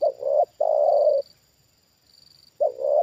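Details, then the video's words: Trained spotted dove responding to a wild bird lowered a second time. A full low phrase, a short note then a long rolling coo, is followed by a pause and the start of the next phrase, over a faint high whine. "Inilah Reaksi Tekukur Ajaran Di Turunin Burung Liar Untuk Kedua Kalinya"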